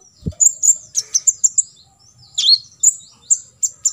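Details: Olive-backed sunbird 'full tembakan isian' song for training other birds: a soft thump, then quick strings of shrill high chirps, a brief pause, and a loud down-swept note followed by more evenly spaced tweets.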